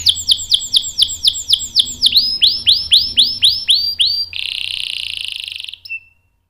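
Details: Canary singing a long rolling song, a training master for young and adult canaries: about four sharp descending notes per second, then a series of rising arched notes, ending in a long dense buzzy trill that fades; low background hum.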